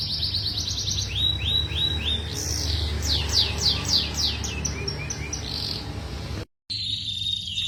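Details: Juvenile canary song for training birds. Quick buzzy rattles are followed by sweeping descending whistles and a fast chattering trill. The sound cuts out briefly near the end over a low background hum.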